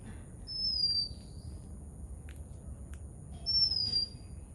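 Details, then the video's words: Two pure, high whistles from an oriental magpie-robin in Sri Lanka, each sliding downward, about three seconds apart, with faint clicks between them. "How does Magpie Robin chirping sounds"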